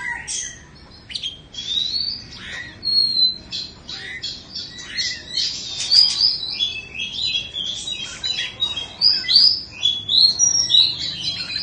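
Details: An Oriental magpie-robin sings a rich, varied run of clear whistles, slurred rising notes and scratchy chirps, delivered almost without pause; the bird is two seasons old.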